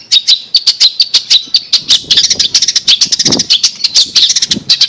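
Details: A long-tailed shrike, used as a master-song recording, gives a rapid, unbroken run of harsh, high chirps and scratchy notes, several each second, with no other sounds behind it.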